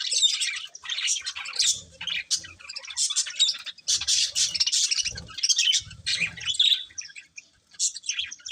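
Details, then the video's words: Colourful budgerigars, a breeding pair, keep up a long stream of buzzy chatter and squawky chirps. Brief pauses break the stream, and soft low rumbles come and go in the background. "Colourful Budgies Chirping Sounds"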